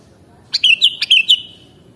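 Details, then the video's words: Lively whistled phrase from a sooty-headed bulbul, five clear notes in under a second, each dropping in pitch, ending with a drawn-out fading whistle; faint steady hum beneath. "Mastering Burung Kutilang Original"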